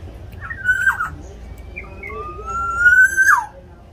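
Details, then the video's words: Black-naped oriole from Java singing hard, played to spur lazy caged orioles: a short warbled whistle phrase, quieter chirps, then a long slowly rising fluty whistle with a sharp downward flourish at the end. "Kepodang lokal jawa gacor untuk pancingan supaya podang mu cepat bunyi"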